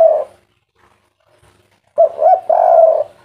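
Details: Spotted dove (tekukur) singing in the derkuku kuk3 style: a single soft coo, a pause, then a short phrase of two quick notes and a long, level, hollow coo.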